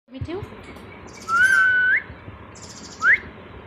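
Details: Pet Indian ringneck parakeet whistling on its owner's prompt to whistle loudly: a clear, steady, slightly rising whistled note lasting under a second, then a short sharp upward-sweeping whistle, over faint room background.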